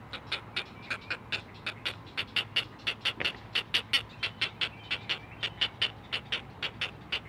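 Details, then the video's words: Great blue heron chicks, a brood of four at a Chesapeake Conservancy live cam nest, sing to their mother in loud, rapid clacking bursts repeated several times a second, building in strength midway. "Four Singing Great Blue Heron Chicks!"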